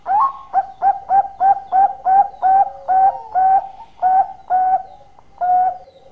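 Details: Zebra dove singing actively, for luring: a steady train of about twelve punchy, mid-pitched coo notes, each roughly half a second apart, with a few longer drawn tones woven in.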